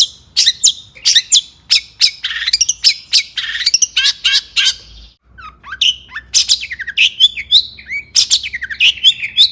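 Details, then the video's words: Long-tailed shrike in agitated, emotional song used to provoke other shrikes into singing; rapid bursts of harsh, scratchy notes mixed with high chirps, briefly pausing midway before resuming with squeaky whistles and rasps. "burung cendet gacor EMOSI AMPUH untuk PANCINGAN CENDET AGAR BUNYI"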